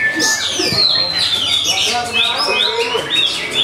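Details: Oriental magpie-robin (kacer) at a bird singing contest, the first- and second-placed birds trading song back and forth: rapid, varied high whistled phrases, sliding notes and short trills in a continuous stream, with other birds and murmuring people behind.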